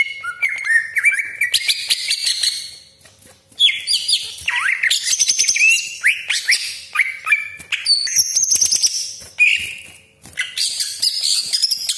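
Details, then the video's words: Greater green leafbird pouring out a lure song full of imitated phrases, sharp shots and long harsh rolls: rising whistles and rapid crackling chatter in bursts of several seconds separated by brief lulls. "CUCAK IJO GACOR DOR TEMBAKAN TAJAM BESETAN KASAR ROLL PANJANG FULL ISIAN"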